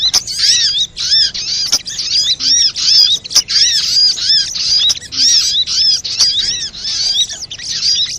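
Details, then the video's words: Sunbird lure recording: steady, high, arching chirps repeated in rhythmic clusters of several notes, spaced by brief gaps, forming a busy chatter meant to draw birds in and set them singing. "SUARA PIKAT BURUNG SOGOK ONTONG RIBUT AMPUH BIKIN SOGON NEMPEL PULUT"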